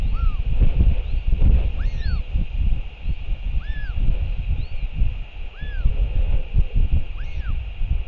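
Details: New Zealand nest camera, 7:58 pm on 28 March 2023: a Royal albatross father arrives to feed the chick. A run of arched, falling calls with thin higher overtones repeats steadily through gusting wind.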